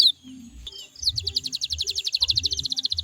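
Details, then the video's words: Canary song to draw other canaries into singing: a few soft scattered notes, then a fast, even trill of short, bright chips continuing steadily to the end, over a faint low hum. "DI JAMIN KENARIMU BAKAL IKUT NYAUT KALO DENGERIN SUARA INI"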